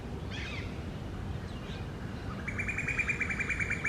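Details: Wild pair of rose-ringed parakeets making a nest hole in a tree during the summer breeding season: after faint distant chirps, a harsh, buzzy, rapidly pulsed call starts midway and runs on steadily to the end over low background rumble.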